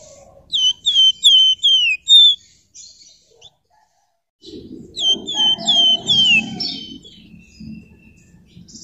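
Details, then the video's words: Golden-bellied Gerygone (flamboyan) in full, dense 'ngebren' song with 'nyerecet' chatter, used as a lure for other birds: a run of clear, sharply descending whistles, a short pause, then more whistles over soft buzzy trills. "Burung Flamboyan Gacor Ngebren Rapat Nyerecet Nyiul Cocok buat Pancingan"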